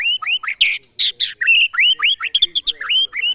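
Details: Singing white-rumped shama being tested against birds kept by neighbours, giving a dense, loud stream of rising slurred whistles mixed with harsh, broadband squawky notes, nearly continuous with brief gaps.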